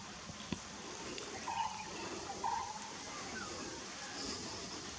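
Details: A Coppersmith barbet (Psilopogon haemacephalus) in Kanha National Park in March 2021 gives hollow, low 'tuk' notes about once a second over a steady hiss of outdoor background noise.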